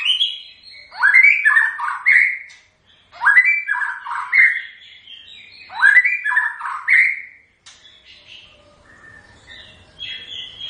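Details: White-rumped shama singing: rich whistled phrases sliding between low and high notes, delivered in three bursts about every three seconds with short pauses, ending in softer high whistles.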